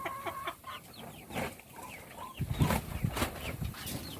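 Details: Feeding chicks chirp in clear, high downward-slurred peeps, several per second, while low pecking knocks build up in the second half.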